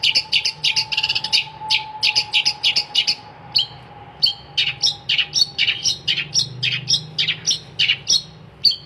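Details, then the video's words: Nonstop gacor song of a long-tailed shrike, with fast, evenly paced sharp chirps and scratchy notes tumbling over one another and a faint continuous whine beneath. "kicauan cendet gacor"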